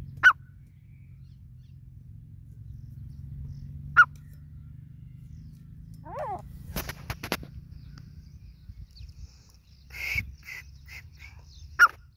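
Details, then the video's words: Grey francolin gives three sharp, ringing notes spaced about four seconds apart, with clicks, a brief descending chirp and a few softer bird notes between them. "Grey francolin teetar Sound"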